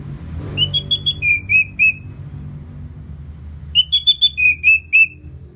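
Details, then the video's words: Orange-headed thrush after moulting, sound meant to make the bird more aggressive: two matching phrases of rapid ringing whistles, about eight notes each, stepping from higher to lower pitch, separated by a quiet gap with low hum. "Pancingan Suara Burung ANIS MERAH Pasca Mabung || Selow Bikin Burung Bergairah jadi lebih agresif"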